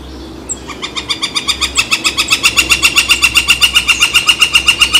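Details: Woodpecker calling beside San Francisco Bay on 18 July 2023 while a barge crosses. A long, rapid, very regular string of harsh, ringing notes, about four per second, grows louder and continues without pause.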